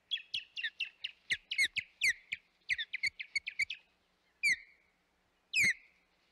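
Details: Hog Island nest osprey, 25 May 2021: a rapid chattering series of short high whistled chips, roughly six per second, then a pause and two long down-slurred piercing whistles.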